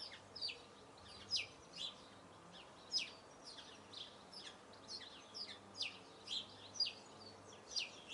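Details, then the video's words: Eurasian blue tit singing: thin, very high downslurred notes given in quick clusters about every half second, soft and distant, over a faint steady low hum. "Marvelous song of Blue tit."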